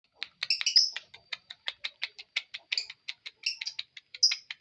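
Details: Lovebird giving a steady series of sharp, high, shrill chirps and squeaks, roughly three to four per second, with clean quiet surroundings.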